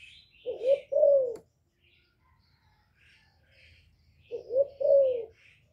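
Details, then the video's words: Spotted dove cooing, played to stimulate kept doves to sing: a low two-part coo, a short rising note then a longer falling one, given twice about four seconds apart, with faint high chirps between. "Cu gáy lớn tiếng, không tạp âm, giọng hay dễ mở, cu gáy kích bổi, cu gáy đi bẩy, cu đất gáy, cu cườm"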